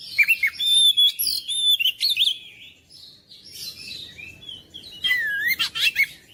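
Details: Oriental magpie-robin singing long, varied whistled phrases. Clear sliding notes alternate with buzzy, scratchy bursts, then a quieter gap before a rising, twisting whistle and more chattering notes.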